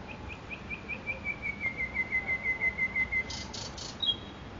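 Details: Makoui park nightingale: rising, accelerating sequence of clear whistled notes that slide slightly downward in pitch, followed by three loud buzzy bursts and a final high twitter.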